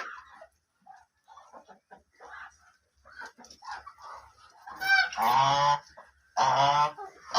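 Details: White and black ducks: soft, scattered low calls at first, then two loud, drawn-out, rasping quacks near the end.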